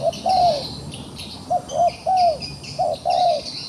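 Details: A trapped wild pigeon that dares to fight coos several times, short and long mellow notes in close succession, with buzzing insects high above.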